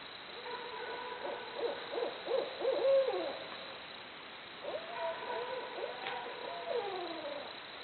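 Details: Barred owls hooting in a wild, jungle-like chorus: a fast run of short rising-and-falling hoots, a pause, then a second series ending in drawn-out, sliding descending notes, with a faint steady hum behind.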